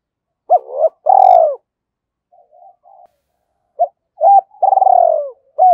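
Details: Decoy spotted dove with a thổ voice, cooing to draw quick replies from wild doves: two deep hoarse phrases of hooked notes and a long pulsing falling coo, with a few faint low murmurs between them.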